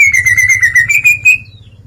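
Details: Greater green leafbird in full ngeplong song, unloading its repertoire: a fast, rapidly pulsed whistled trill that holds a steady pitch and rises slightly at the end, then stops abruptly. A faint low hum runs underneath.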